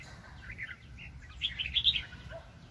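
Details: Red-whiskered bulbul, a very lively wild bird, recorded during bulbul trapping in 2020: a soft run of warbled chirps, louder and higher toward the end, over a low background rumble.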